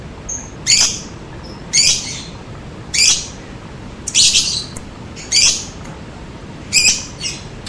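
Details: Lovebird call used as a lure to prompt other lovebirds to answer: harsh, buzzy high squawks, seven of them, repeated roughly every second, with faint soft chirps between.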